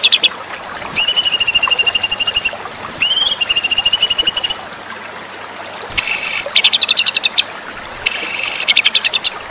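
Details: White-rumped shama masteran song for contests: several separate phrases of fast, even, high trills, some opening with an upslurred whistle, others with harsh, buzzy rattles, separated by short pauses.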